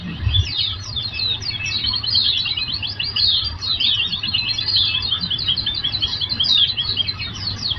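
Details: Oriental white-eye song played as therapy to prompt birds to sing back within three minutes: busy, unbroken stream of thin, high chirps and trills, with a low hum and a brief thump at the start.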